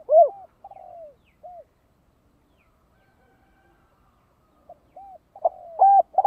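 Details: Spotted dove cooing in the thổ đồng voice as a lure for wild doves. Broken, partly faint phrases of arched and rolling coos are followed by a louder burst of stuttering notes near the end.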